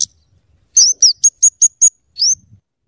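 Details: Scarlet-headed flowerpecker tutor and lure song: an upslurred whistle, then six evenly spaced sharp high chips, ending with another rising slur.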